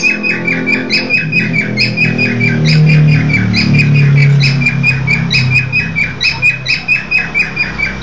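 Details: A pied cockatiel, sold as female but apparently male, gives a rapid series of bright, repeated whistled chirps as a courtship display toward a lutino cockatiel of uncertain sex.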